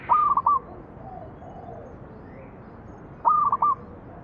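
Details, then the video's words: Zebra dove cooing meant to coax other doves to sing: two matching phrases of a drawn-out mellow note followed by quick broken coos, about three seconds apart, over faint background noise. "PANCINGAN BURUNG PERKUTUT MANGGUNG"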